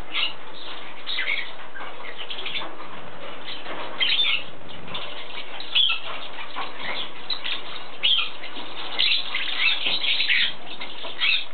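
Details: Lovebirds chattering in a steady, dense stream of sharp chirps and squeaks that overlap without pause, with brighter shrill peaks every few seconds and a muffled, dull tone overall.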